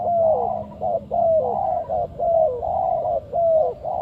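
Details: Loud, close spotted dove cooing, a lure bird for trapping: rhythmic series of mellow hoots, each phrase closing with a smooth downward-sliding coo, about four phrases in quick succession.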